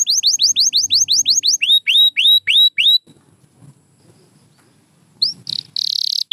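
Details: Pure white canary chirping: a run of evenly spaced falling whistled notes, slowing slightly, followed by quiet with faint low background sounds and a short loud rolled trill at the end.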